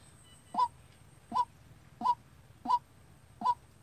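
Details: Decoy White-breasted Waterhen trained to call by itself for bird trapping: five sharp, honking kwak notes spaced under a second apart, clear against a faint low hum.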